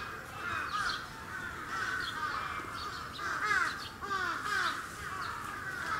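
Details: Sarus cranes kept at a bird park in Gunma Prefecture, Japan, 10 November 2018: overlapping harsh trumpeting notes, each rising then falling, pouring out in a busy chorus that swells near the middle.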